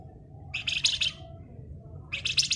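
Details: Flamboyan in full ngebren song: two harsh, fast, grating chatter bursts of under a second each, separated by a pause, over a steady low background rumble.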